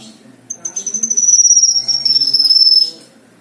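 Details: Black-winged myna (kinoi) in vigorous song used as filler material: a piercing, high whistle held for over two seconds and easing slowly downward, beaten by quick regular pulses, with faint low hum behind.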